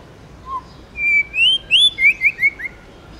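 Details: Forest-voice song of a tame White-rumped shama: one soft low note, then a long rising whistle breaking into a bouncy series of short slurred whistles.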